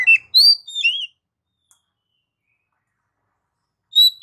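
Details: Oriental magpie-robin with a quick phrase of bright, sliding whistles. After nearly three seconds of quiet, a single clear whistled note follows.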